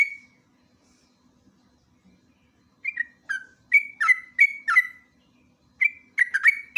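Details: Sooty-headed bulbul (jogjog or trucuk) in a lure and master recording: one whistle, a long silence, then quick ngeropel bursts of slurred, bubbly notes near two kilohertz.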